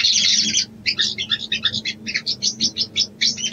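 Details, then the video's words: Sooty-headed bulbul female calling to a male to stir breeding: a bright burst of chatter, a short gap, then a string of separate, evenly spaced chirps, some rising or dipping. "SOGON BETINA MEMANGGIL JANTAN‼️ PANCINGAN BIRAHI"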